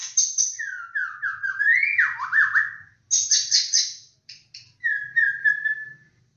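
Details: White-rumped shama, the Aceh, Bahorok, Borneo, Medan and Nias black-tailed forms, singing a varied phrase: sliding whistled notes rising and falling, bright high trills, then a steady whistled tone, with a faint low hum beneath.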